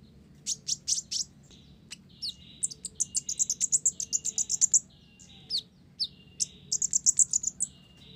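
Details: Olive-backed sunbird singing vigorously with Java sparrow material worked into its song: bursts of rapid, sharp, very high chirps and trills, broken by short pauses, repeated in several rattling runs over a quiet background.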